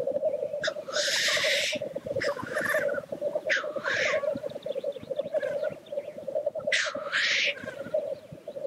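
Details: Lekking black grouse: steady rolling, gurgling coos form a constant murmur, with four explosive, hoarse hissing bursts spaced irregularly across the stretch.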